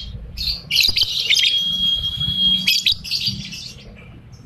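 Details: Lovebird in molt giving 'ambrol' song in the 'konslet' style: dense, shrill twittering that includes a thin, steady whistled tone held for nearly two seconds, then scratchy chirps that fade away.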